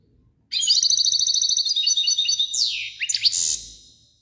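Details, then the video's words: European goldfinch song: a fast, even run of high twittering notes, then a few sharp downward-sweeping, buzzy notes toward the end. "تغريد حسون"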